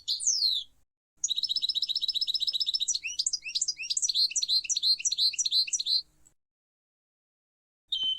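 A European Goldfinch sings a fast, tinkling twitter of high, liquid notes for about five seconds, with a short falling note before and a brief chirp after.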